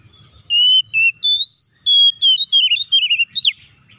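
Oriental magpie-robin singing a varied run of clear, high whistles, some held steady and some rising, ending in quick warbled trills; faint low rumble beneath.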